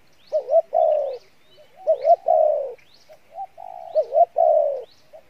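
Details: Spotted dove, a field-caught bird with a cooing style called Pha Bài Lối, cooing in mellow, low phrases: short rising double notes, then a longer falling coo, repeated about four times. Faint high chirps above.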